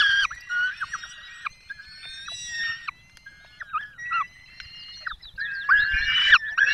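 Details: Calls at a Peregrine falcon nest in Poland's Barycz Valley, 5 May 2022, while the male delivers a small bird and the female feeds the young: scattered short harmonic squeals and whines, quieter in the middle, louder again near the end.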